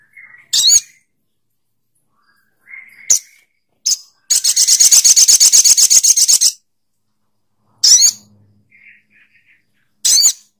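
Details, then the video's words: Sogok ontong bird calling: single sharp rasping notes and faint whistles, then a long rapid rattling buzz lasting about two seconds. Scattered harsh notes follow, with soft whistles between them. "Suara Burung SOGOK ONTONG"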